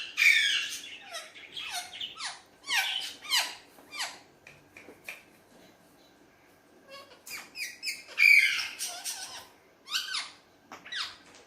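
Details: Hand-tame pet Alexandrine parakeet, a talking parrot, playing with a mirror. Harsh, raspy bursts come in quick irregular runs, with a louder burst of squawks near the end after a short quiet stretch.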